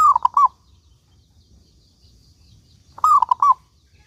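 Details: Local zebra dove singing energetically, two rapid phrases of rolling, falling cooing notes three seconds apart, the background otherwise quiet.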